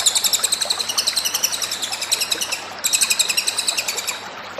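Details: Energetic cililin song for tutoring, made of two long runs of fast, thin, high chirps at several per second, with a brief break between them.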